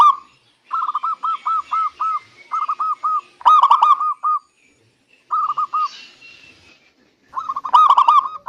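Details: Local zebra dove singing, a recording played to coax other doves into song: quick series of short, clipped cooing notes in several bursts separated by brief pauses.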